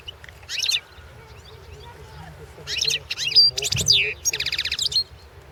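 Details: Competition recording of a European goldfinch at the 2016 world goldfinch song championship; bursts of high tinkling twitters, a clear whistle and a fast buzzy trill, with brief low thumps.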